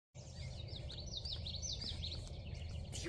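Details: A Common Yellowthroat singing in an old field near a stream during migration gives a rapid, rolling run of repeated high 'witchety' phrases over a low rumble and a man's voice.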